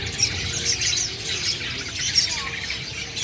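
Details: Black-headed long-tailed shrike, a bird caught by luring during the season, singing vigorously: dense, rapid high chirps and squeaky notes run nearly unbroken, with a low rumble of background noise underneath.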